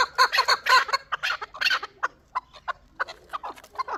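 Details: Chukar partridge, a young bird from the previous year's hatch, from Shurobod, Tajikistan. Loud, harsh clustered chucks open the series, then thin out into scattered single clucking notes at an irregular pace.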